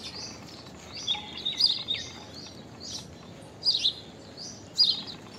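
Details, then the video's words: Common myna in an unusual call: soft twittering and a short whistled note, then loud, sharp, high chirps repeated about once a second, over gentle outdoor hiss. "Common Myna Unusual Call! Common Myna Song! Common Myna Sound! Common Mynah Call! Song! Sound!"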